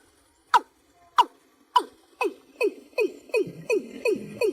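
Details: Watercock summoning its flock with curt, downward-slurred notes that start widely spaced and then accelerate into a rapid, even series of clucks.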